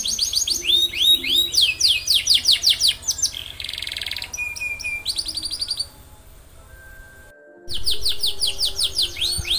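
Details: Canary in full, long continuous song, played to get other canaries singing: rapid series of rising whistled sweeps repeated in trills, a buzzy rattling burst, then a near-silent pause with a sharp break before the sweeping trills resume.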